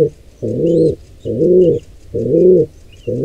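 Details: Pigeon at a nest where a wild squab is attacked by two intruders: long, throaty coos of about half a second, three in a row, with faint high squeaks between.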